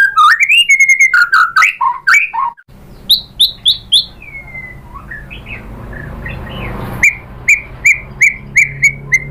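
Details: Singing white-rumped shama, played as a lure to make other birds answer: a jumble of varied chirps and whistles, a quieter stretch with background hiss, then evenly repeated sharp whistled notes.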